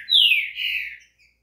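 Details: Green-winged saltator (trinca-ferro) song, offered to warm up a bird into singing: one loud, clear whistled phrase that slides down from high to lower pitch, then briefly levels before fading, with a faint final note.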